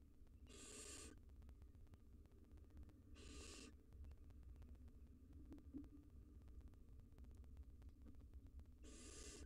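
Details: Wild barn owl nestlings, three of them, at a nest box entrance: a few long rasping hisses spaced several seconds apart, with a constant low electrical hum and faint ticking between.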